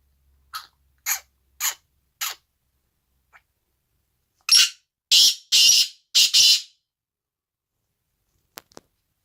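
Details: Black francolin, the kala tetar or Sindhi tetar of desi strain, kept and trained in the UK: four short sharp notes about half a second apart, a pause, then five loud harsh rasping bursts, ending in faint clicks.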